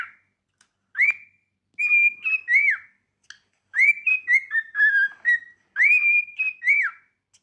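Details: Cockatiels at singing practice give a repeated whistled motif, a rising slur into a level tone and then falling notes, the phrase sung twice with brief pauses. No other sounds.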